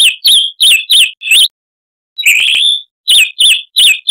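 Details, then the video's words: Chalk-browed mockingbird song from a tutor recording for cage birds: loud, sharp, twisting whistled notes repeated in quick series, broken by a brief silence and one drawn-out harsh rasping phrase. "Masteran Burung Luar Negeri Suara Kasar - Chalk-browed Mockingbird"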